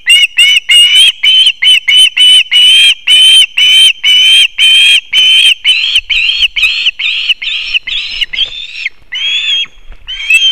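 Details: Osprey at a nest in an old pine in Kurzeme, Latvia, on 20 September 2024, with chicks, as the male brings fish: short, high whistled chirps about two a second merging into longer slurred, wavering whistles.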